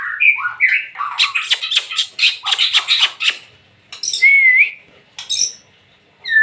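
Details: Murai batu, the white-rumped shama, singing loudly: a few clear whistled notes, then a rapid run of harsh repeated chatter, a pure slurred whistle near four seconds, and more short bursts.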